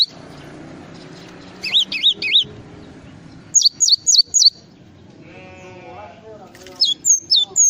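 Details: Java sparrow singing its full song with wavy high chirps, then a quick run of falling notes and a later burst, with a brief lower harmonic call in the background.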